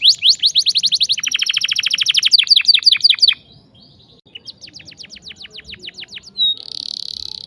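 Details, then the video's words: Singing canary, a sharp rolling song used as a lure to teach young canaries to sing and chatter: rapid high chirping trills that shift into lower, fast downslurred rolls, then a pause and a thinner trill ending in a buzzy note. "kenari gacor ngerol tajam, cuit cuit pancingan kenari paud agar cepat bunyi ngeriwik"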